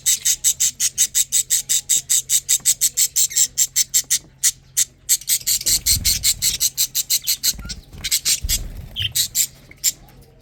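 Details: Lovebird chicks eating and drinking: a long rhythmic series of raspy high-pitched pulses, about three a second, turning denser and less regular halfway through, with dull low bumps and handling noises near the end.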